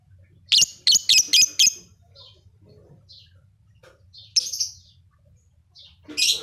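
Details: Actively singing lovebird from Leuwimunding: a quick series of five harsh chirps, then soft scattered squeaks, later loud grating bursts, low hum underneath.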